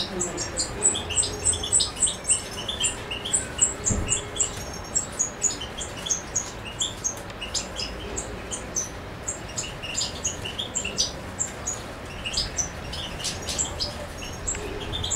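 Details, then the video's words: European goldfinch (Carduelis carduelis) in Macedonia on 7 July 2011 singing fast, tinkling high twitters and liquid trills in rapid bursts, with a steady low background hum. "Carduelis carduelis"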